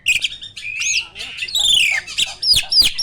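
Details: Loud champion caged starling giving harsh, scratchy notes with sweeping downslurred whistles and sharp clicks in quick succession.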